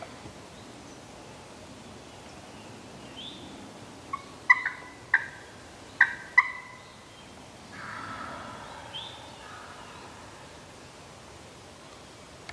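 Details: New York Wild Turkey in spring hunting season, a handful of sharp, sudden notes clustered in the middle of the recording, followed by a fainter, rougher rolling burst against a quiet outdoor background.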